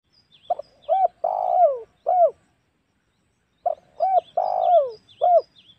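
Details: Spotted dove lure call used to provoke wild doves, for hunting at home or in the forest: two cooing phrases, each a short note, an arched coo, a long drawn-out falling coo and a final arched coo, with faint high chirps behind.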